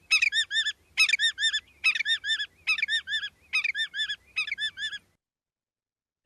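A Willet gives six loud, ringing three-note 'pill-will-willet' phrases, nasal and strongly harmonic, one roughly every second, then falls silent.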